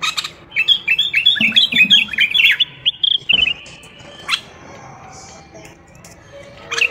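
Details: Common bulbul song, a Moroccan bird, played to train bulbuls and chicks to sing: a quick run of chirped, warbling notes over about two seconds, then a few scattered clicks and a lone sharp note in a quiet room.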